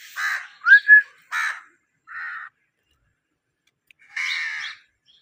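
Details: Harsh squawks from a pet Indian ringneck parakeet, broken by a quick pair of rising whistled notes, then a softer rasp and one last grating squawk after a pause.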